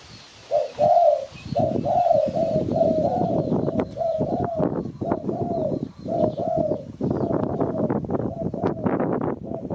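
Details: Spotted dove, a recording used to lure birds for catching, gives a nearly unbroken run of mid-pitched hooting coos with slight rising-falling inflection, overlaid by steady rattling, thumping background noise and faint thin calls higher up.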